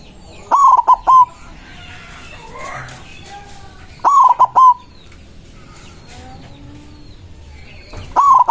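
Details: Loud-voiced white zebra dove singing to summon rivals, agitated. Three phrases come roughly every three and a half seconds, each a rising hooked coo and then a quick stutter of coos. Faint chirps and whistles of other birds sound between phrases.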